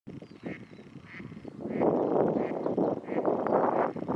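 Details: Eurasian teal (Anas crecca) at Hraški mlaki ponds, 26 March 2023: rapid nasal quacking calls about four a second, a few sparse notes at first, then dense overlapping chatter from several birds.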